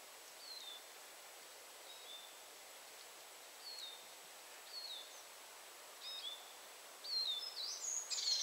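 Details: Eurasian treecreeper, thin high-pitched notes that slide downward, repeated about every one to one and a half seconds, growing louder and busier toward the end over a steady hiss of background noise.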